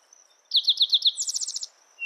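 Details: A spotted towhee sings a short phrase of five strong, evenly spaced slurred notes that runs straight into a quicker, higher-pitched rattle of roughly eight notes. A faint continuous high tone sits underneath.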